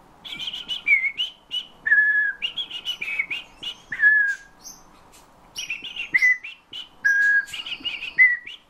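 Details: Eurasian bullfinch trained by its owner to sing, copying the owner's whistled phrases and also taking up nightingale and thrush phrases; clear piping whistles in short bursts with slurred falling notes, separated by brief pauses, in a quiet room.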